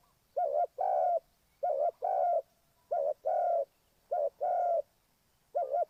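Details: Spotted dove from Ninh Thuận used as a trapping lure, giving low hollow coos in pairs: a short clipped note followed by a longer drawn-out coo, the pair repeated about once a second in a quiet setting.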